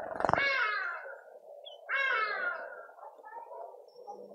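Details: Garden feeder in suburban Pretoria, South Africa, visited by speckled mousebirds: two loud rasping calls dropping in pitch, then a lower continuous buzzy chatter.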